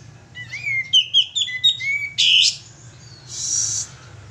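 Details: Sooty-headed bulbul, a male, singing as a lure call: a quick run of whistled, slurred notes rising and falling, followed by a loud harsh rasping burst and a fainter hissing note.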